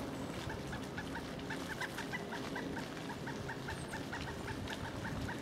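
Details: At Duke Island Park on 25 January 2011, in winter, a pileated woodpecker gives a sustained series of sharp, repeated 'kuk' notes at a fairly steady pace, recorded on a Panasonic HDC-SD60 with low rumbling background noise.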